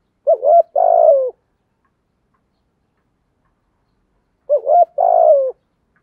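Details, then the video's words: Spotted dove giving 'thổ'-style coos to attract wild doves, two phrases about four seconds apart, each a quick two-note lead-in followed by a long, slurred, downward coo. "cu gáy giọng thổ thúc gù gáy gọi cực đỉnh giọng hay kích bổi hiệu quả"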